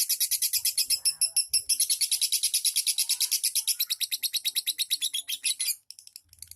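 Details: Ngetik ngekek song of a lovebird: a rapid string of high, sharp ticking notes lasting nearly six seconds and then stopping abruptly, followed by quiet.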